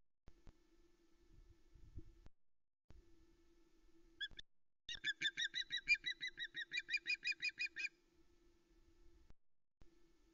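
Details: Female osprey Vera at the Loch Arkaig nest, Scotland, 26 Aug 2020, around 13:37, lands shouting as male Louis brings a live mackerel: a brief call, then rapid sharp whistled chirps, about three a second, over steady electrical hum.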